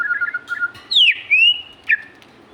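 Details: Energetic singing magpie-robin: low warbling notes, then a loud sweeping whistle falling and rising again, and a final sharp downslurred note.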